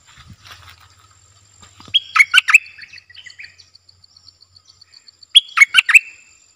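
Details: Stripe-throated Bulbul, a wild bird staying clear of the cage and likely nesting with chicks, sings two loud bubbly phrases of quick warbled notes about three seconds apart, with a faint regular ticking between them.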